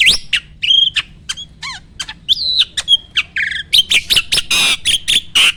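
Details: A starling gives a training song meant to provoke other birds to sing, made of mixed clicks, short whistles and buzzy notes. It builds into loud harsh screeching bursts near the end.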